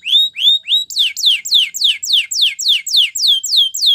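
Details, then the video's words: Canary song for training other canaries: three long level whistles, then a regular chain of about a dozen loud falling whistles, close to three every second. "The Sound Of This Canary Attracted Many Canaries To Song"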